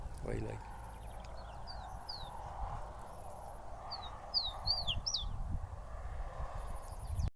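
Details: A free wild bird feeding in the caatinga of northeastern Brazil, possibly a soldadinho (uncertain), sings short, bright whistled notes that slur up and down in two loose bursts, over a steady outdoor rumble and brief high insect-like buzzes.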